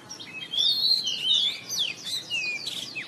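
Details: Oriental magpie-robin singing in the morning, a caged bird played to spur others into song. Sweeping whistles rise and fall and mix with sharp downslurs over a steady hiss of background noise.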